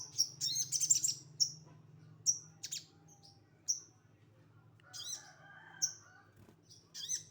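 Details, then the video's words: Sogon of the bulak type singing in the rough 'tembakan' style: sharp, high chirped notes in scattered bursts with pauses, some buzzy, with a low steady hum underneath. "Sogon bulak tembakan kasar"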